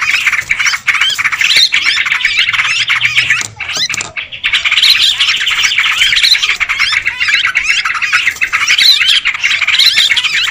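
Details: Sooty-headed bulbuls in a raucous lure chorus: dense bubbling squawks run continuously, dipping briefly near the middle before resuming at full volume.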